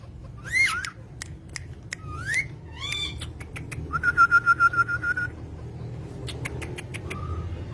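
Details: Pet green parrots making a few rising whistled calls and dry clicks, then a fast, even trill lasting about a second, followed by scattered ticks and a soft whistle.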